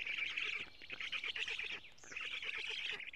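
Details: Storklets of the black stork in an Estonian nest, 07:47 on 14 June 2017, as lampreys are delivered; scratchy, squealing calls with a rapid ticking rhythm and a brief higher squeak midway.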